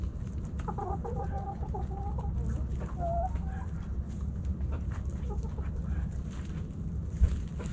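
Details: Backyard hens and roosters snacking at Thanksgiving; a run of soft, rising clucks and short tonal murmurs in the first three seconds, then quieter scattered clucking over a steady low rumble.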